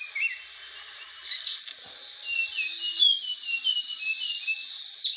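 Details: Sikatan Aceh, a rare blue flycatcher, sings short sweet whistled notes scattered through the clip, some slurred up or down, with a few sharp high chirps over constant hissing background noise.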